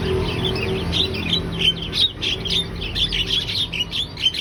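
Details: Javan myna described as gacor, in full lively song: a dense run of sharp, scratchy chirps and short whistled notes, rising and falling rapidly without pause, over a steady low hum.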